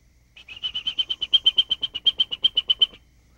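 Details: Chipping Sparrow, a common summer resident in Missouri, gives a dry, even trill of about twenty quick chips, roughly seven a second, on one high pitch for under three seconds.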